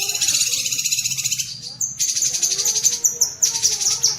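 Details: Short bursts of high, rattling chatter from a cucak kinoi bulbul, broken by brief gaps and a few quick squeaks, over a faint low hum. Master audio for training pet songbirds.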